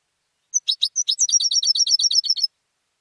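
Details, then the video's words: Home-bred competition European goldfinch singing a quick run of bright, high, liquid twitters and buzzy trills, around three notes per second, lasting two seconds with nothing else audible. "mi jilguero el pico de oro"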